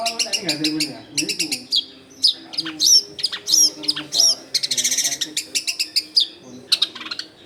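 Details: Long-tailed shrike song for luring wild shrikes: fast rattling series of clicky notes alternating with buzzy bursts and whistled slurs, nearly continuous, with low household hum beneath.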